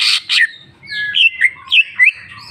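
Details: Cucak ijo, the greater green leafbird, performing 'jamtrok bongkar isian' song: harsh buzzy opening notes followed by clear looping whistles that swoop up and down, each about a third of a second apart.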